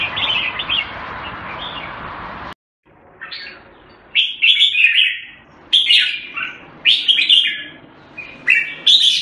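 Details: Red-whiskered bulbul giving short, clear, chirpy warbled phrases about once a second, each with quick upward flicks. They come after a stretch of broadband background noise that suddenly cuts off.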